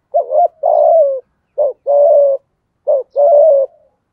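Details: Spotted dove used as a lure, singing in the 'giọng thổ' voice style: three deep, mellow two-part phrases. Each is a brief hooted note, then a drawn-out level coo, repeated about every 1.4 seconds with clean gaps.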